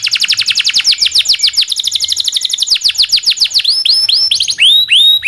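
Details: Canary of local stock singing a long roll for songbird tutoring: dense rapid series of falling whistled strokes, then slower upward-curving notes and clear sweeping whistles near the end.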